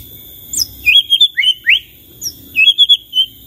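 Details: White-rumped shama delivering short bursts of high twittering whistles and rising slurred notes, separated by brief pauses, over a soft low hum.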